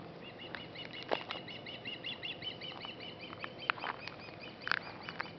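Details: Osprey mother at a nest with two young after bringing a fish, annoyed by a nearby person; a series of short, high whistled chirps in rapid runs with scattered sharper notes and a steady low hum beneath.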